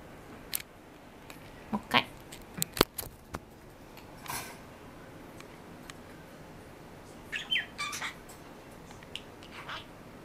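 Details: Pet talking parakeet out of its cage indoors, moving about busily while chatting with its owner; scattered scratchy, clicking bursts and short squawky phrases separated by quiet gaps, with a cluster of harsher chatter near the end.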